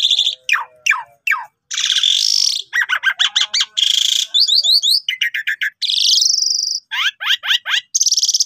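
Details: Gacor Asian pied starling used for tutoring lazy starlings: rapid mix of downward-swept whistles, harsh grating bursts, quick chattering trills and a long sliding whistle, delivered almost without pause over eight seconds.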